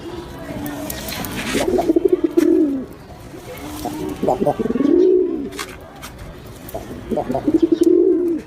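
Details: Pigeon coos, deep and bubbling, each phrase starting with quick stuttering notes then swelling into a rounded moaning coo, three phrases spaced roughly three seconds apart.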